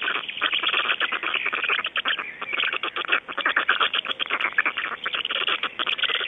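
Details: Black storks in Estonia at dawn, 05:15 on 26 May 2012: dense, rapid rattling pulses run almost without pause, with harsh bursts and short breaks near two seconds in.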